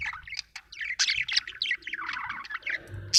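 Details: Short burst of budgerigar chirping: fast, twittering, scratchy notes strung together with sharp clicks and little whistled accents.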